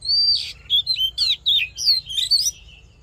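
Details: Male Oriental magpie-robin fighting song meant to fire up a male bird, a voice-training track: a long clear whistle opens, then a chain of bright warbled, twisting notes with short gaps.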